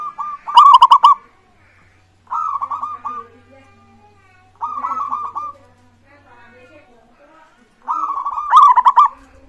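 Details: Local zebra dove singing actively, used as a lure to prompt other birds to sing: four bursts of rapid, rolling cooing notes, some loud and harsh, separated by short pauses, with a faint low hum in the background.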